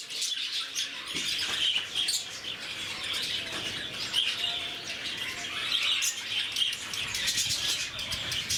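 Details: A crowded lovebird enclosure at Bannerghatta Zoo, Bangalore: quiet start, then shrill overlapping chirps and scratchy squawks building into steady, high flock chatter.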